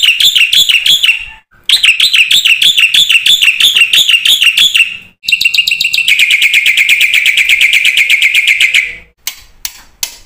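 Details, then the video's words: Black-winged myna in varied song for prompting other birds to sing: two long bursts of rapid, bouncing buzzy notes, a steady fast trill of sharp repeated notes, then a few scattered clicks. "suara burung jalak putih GACOR FULL ISIAN ampuh buat MASTERAN PANCINGAN jalak macet bunyi AGAR GACOR"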